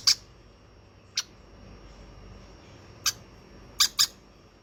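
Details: Five sharp, high squeaky chirps from a hand-fed baby conure, spaced unevenly, with the last two coming in a quick pair.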